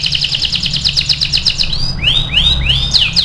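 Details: Caged AF canary singing as a master song for training other canaries: a rapid even trill of bright high notes, then several loud rising swept whistles, over a steady low hum.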